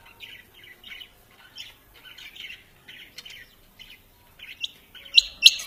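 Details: A quail gives softer, scratchy high notes in loose clusters, growing louder toward the end with a couple of strong sharp chirps.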